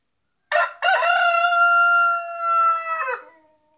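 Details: Village rooster in Kerala, India, crowing: a short harsh opening note, then one long sustained, slightly wavering cry held for over two seconds before dropping away at the end.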